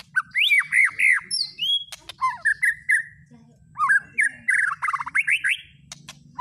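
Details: Provoking lure song of a white-rumped shama: fast, loud, looping whistled warbles repeated in dense bursts, broken by short high ticks and thin upward whistles, with a faint low hum in the background.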